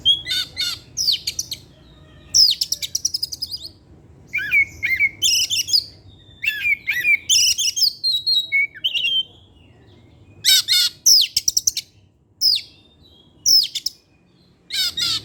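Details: Oriental magpie-robin (kacer), a kept bird singing actively in the evening and bringing out learned material: rapid bursts of sharp chirps, buzzy trills and clear whistled notes, separated by brief pauses, over a low background hum.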